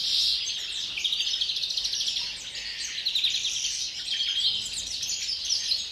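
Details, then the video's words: European greenfinch singing before the breeding season, kept in captivity: a continuous high twittering of rapid trills and buzzy notes that runs without a break, with other similar finch chatter mixed in. "canto del Verderón, precría"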